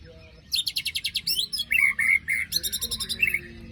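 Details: White-rumped shama (murai batu) after its moult, singing in the harsh besetan style: a rapid burst of sharp, buzzy, evenly repeated notes followed by rich, slurred whistles and another fast rattling run, over a low background hum.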